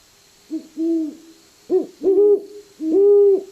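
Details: Two owls, probably a male and a female, dueting back and forth in low, hollow, slightly wavering hoots, deeper than a screech owl, about five hoots in three seconds, one voice overlapping the other; faint hiss behind.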